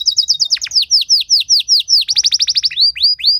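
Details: Canary song for training other canaries to sing; steady series of clear downslurred whistles about three per second, then a quicker burst of sharp notes and rising chirps.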